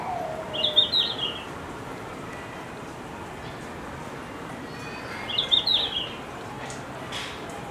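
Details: Red-flanked bluetail at Higashiyama Zoo delivering two short, high, warbled song phrases about five seconds apart, each under a second long, separated by quiet hiss.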